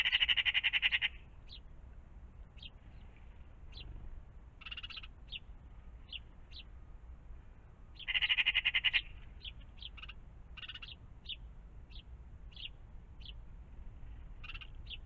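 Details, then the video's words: Magpies in the morning around a pond: two harsh, rattling chatter bursts about a second long, separated by scattered short high chirps from other small birds and a steady low background hum. "Magpies in the morning"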